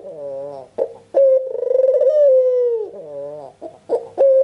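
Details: Red-eyed albino Barbary dove calling nonstop to get other doves to answer. Low wavering notes lead into a loud drawn-out coo with a fast rolling pulse that slowly slides lower. Short choppy fragments follow before the next steady coo begins.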